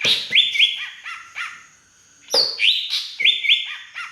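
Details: Green leafbird from Aceh's Beutong forest, its song including drongo-imitation fill-in: loud whistled and harsh notes delivered in rapid triplets, a short gap, then another burst of ringing flat whistles.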